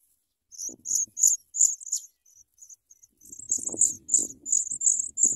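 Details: Nestling Sprague's pipits being fed large worms by a parent, calling in loud, very high, piercing chirps. They come in rapid bursts, pause briefly, then resume in a dense, insistent series over soft rustling.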